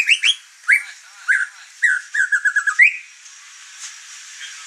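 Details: Caged white-rumped shama, over-excited and singing, its song stirring up the other birds kept in the house; clear whistled notes with rising and falling slurs, a rapid run of short repeated phrases, then faint background chirps.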